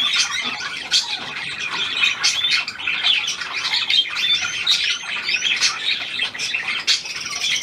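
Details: A newly acquired, hand-tame Australian pied budgerigar, kept indoors as a pet, with dense high chirping and warbling chatter broken by sharp rising tweets, continuous throughout.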